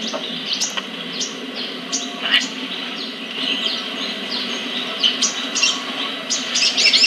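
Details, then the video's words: Caged sunbird, locally called sogon or sriganti, kept in a bird collection in Kebagusan, Pemalang, Central Java, Indonesia; high thin chirps and sharp twittered notes scattered throughout, over a low steady background hum. "Aksi Sogon/Sriganti"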